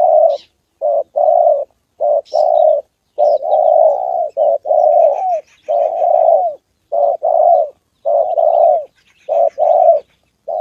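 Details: Spotted dove in a decoy session with a wild bird and a female on the 2 September holiday. Steady, rhythmic low cooing fills the recording: short coos and longer curving ones, with occasional faint high chirps.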